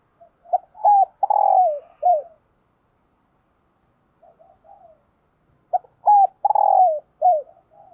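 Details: Captive decoy spotted dove cooing in the morning to call wild doves: two mellow, low coo phrases, each a few short notes and then a longer drawn-out slurred coo, with a softer fragment between them. The background is quiet.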